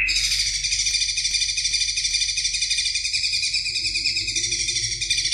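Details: Continuous shrill, buzzy warbling from a greater green leafbird, heard in a recording meant for tutoring songbirds: dense high notes run together without pause over a faint background hum.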